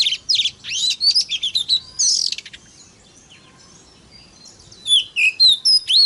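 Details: Oriental magpie-robin singing to provoke other magpie-robins: a burst of quick, looping whistles and a harsh rasp, then about two seconds of near silence, then fresh sweet downslurred whistles.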